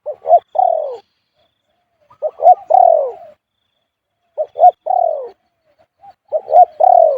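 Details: Spotted dove cooing in the khu-ang style it keeps up almost continuously: four phrases about two seconds apart, each with two clipped low notes and a drawn-out, gently falling coo. No other sounds.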